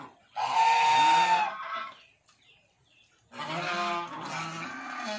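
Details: Breeding pair stock of pied Chinese geese giving two loud, harsh, nasal honks, each about a second long, separated by a short pause; nothing else is heard; the finding is swan goose.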